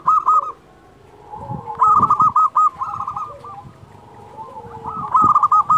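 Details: Active local zebra dove song used to coax quiet doves into singing: clipped, rapid cooing bursts come in short phrases with pauses between them, while softer drawn-out notes and faint knocking fill the gaps.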